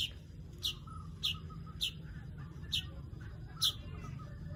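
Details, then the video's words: Weaver call as a series of six sharp, high chirps roughly every half second to second, each short and falling, with a soft low hum behind. "Crecet .. Cret ..!! SUARA PANGGILAN BURUNG MANYAR"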